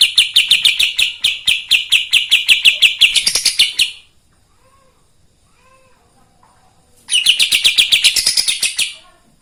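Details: Kapas tembak singing vigorously, a song meant to provoke other birds: rapid bursts of sharp, high chipping notes, about three a second, in two runs separated by a three-second silence.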